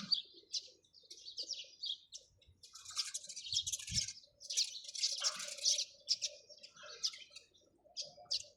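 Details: Chirping sparrows trade sharp, high notes in overlapping clusters over a faint steady low tone, with a soft knock midway.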